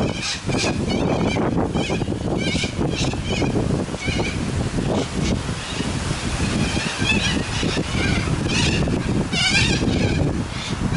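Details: Cockatoos calling as a large flock in Adelaide, Australia: repeated grating, hoarse screeches from many birds, coming in quick clusters throughout, with steady low rumbling background noise.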